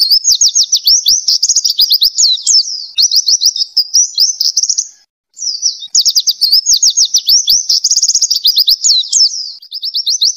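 An oriental white-eye sings a fast, high, unbroken twittering warble of rapid chirps and trills, with one brief pause midway; nothing else is heard.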